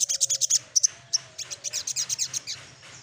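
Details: Little spiderhunter singing in search of a rival: rapid bursts of very high, sharp chirping notes in quick series, with a brief pause midway, over a faint steady low tone.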